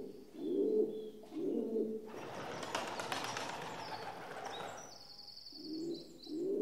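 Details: Rock dove cooing in soft, low, rolling phrases at the start and end, with a loud broad rustling or flapping burst between them and faint high chirps from other birds overhead.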